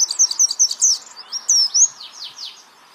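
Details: Training recording of a champion white-eye for songbirds, 'geter' style: a short run of very high, quick twittering notes and upslurred sweeps, fading toward the end.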